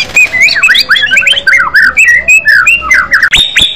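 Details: White-rumped shama, called an aggressive-style fighter bird with a loud voice, pours out a rapid, varied stream of bright whistled slurs and chirps, ending in two long, flat, high whistles.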